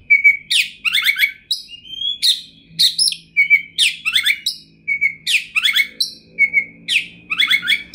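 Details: An Oriental magpie-robin (kacer) sings in lively 'gacor' fashion with rich 'materi': loud piercing whistles, falling trill runs and buzzy chatter in quick succession, with a faint low hum underneath.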